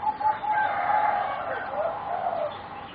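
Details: A young singing zebra dove from a bred competition line, about 3.5 to 4 months old, gives a steady hollow coo that slides into a lower rolling phrase, with other young birds faintly overlapping.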